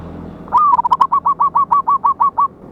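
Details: Local wild zebra dove with a loud voice, recorded 11/8/24 as a lure sound for trapping: one long, slightly rising cooing note, then about ten short, evenly spaced coos in a steady chain.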